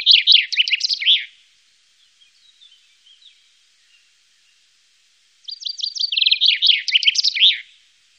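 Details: Common chaffinch singing in the Wittlich valley, Germany, 2018: a short rapid phrase ends near one second, then after a quiet gap with faint distant chirps a full descending trill of repeated notes runs into a terminal flourish around 5.5–7.6 seconds.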